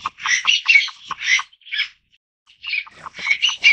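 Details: Taiwan bamboo partridge uttering a rapid string of loud, scratchy, chattering calls, a pause of about a second, then another raucous series of clipped harsh notes.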